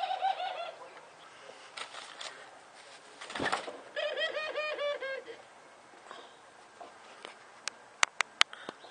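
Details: Domestic Barbary (ringed turtle) dove, Streptopelia risoria, giving its "laugh": rapid rolling, laughing coos in two bursts, soft and low, with a wing-flap rustle and a few sharp clicks indoors.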